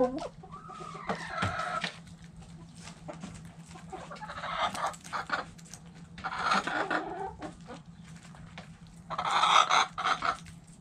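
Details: Hens clucking in a backyard coop, with a rising squawk at the start and several bursts of noisy, overlapping cackles separated by quieter stretches.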